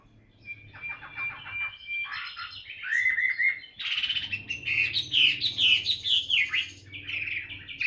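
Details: Tame Chinese hwamei in a cage practising its voice: a thin sustained whistle over soft rattling notes opens, then loud, tumbling whistled phrases with quick down-slurred notes; faint low hum.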